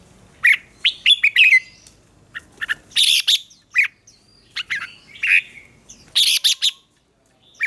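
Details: Red-whiskered bulbul singing in a contest, used to train and provoke other birds: loud bursts of bright, slurred whistled phrases with sharp chirps, short pauses between notes, fast and uneven.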